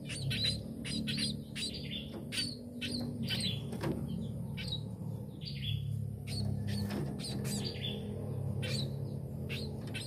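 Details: A tame munia chirps steadily, its high, brief notes coming in quick irregular bursts among fluttering and tapping noises, over a constant low rumbling background.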